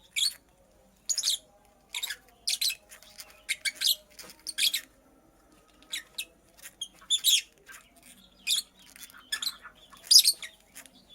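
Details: Nest-building female purple lovebird calling with a stream of piercing, raspy chirps, irregular single and paired notes, high and scratchy, with brief silences between bursts.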